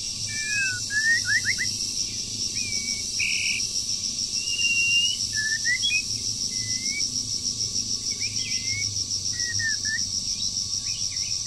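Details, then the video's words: Moulting wild bird in the breeding season sings a long, busy sequence of quick slurred whistles, rising flicks and wavy notes repeated in short bursts, under a continuous high insect-like drone and a faint tonal hum. "Chim Rừng Đang Thay Lông Mà Chíên Quá • Dợt Chim Mùa Sinh Sản"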